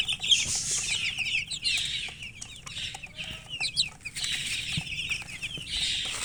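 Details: Chickens peeping in busy overlapping bursts, high and slurred, repeated in waves about every second, mixed with hissing rustle and scraping noises.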